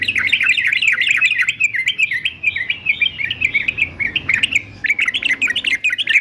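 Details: Male yellow-vented bulbul of fighter type, kept as a trained songbird: a continuous run of bubbly, warbling notes rolling up and down, dense and unbroken for six seconds, with a faint low hum beneath.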